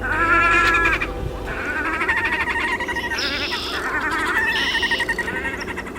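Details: Courting pair of Red-necked Grebes at Colonel Sam Smith Park, Toronto, in spring 2023, give loud, nasal, braying wails, rich and harsh, rising and falling in overlapping bursts over several seconds.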